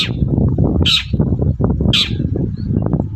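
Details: Morning long-tailed shrike lure meant to make other shrikes respond. Three grating, noisy calls, the later two about a second apart, over thick low-frequency background noise.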